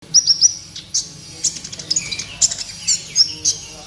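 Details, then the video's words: Kolibri ninja, a sunbird, in a master recording used to train caged birds: scattered very high, thin chirps and short sharp notes with uneven gaps, over a faint low hum. "MASTERAN BURUNG KOLIBRI NINJA GACOR COCOK BUAT PANCINGAN KOLIBRI NINJA MALAS BUNYI"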